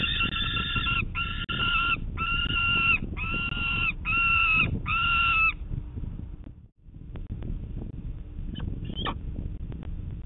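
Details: Peregrine falcon chick in Manchester, New Hampshire, begging its parents for breakfast on a June 2019 morning: six harsh, nasal, drawn-out wailing cries in steady succession, then quieter rustling and a few short squeaks.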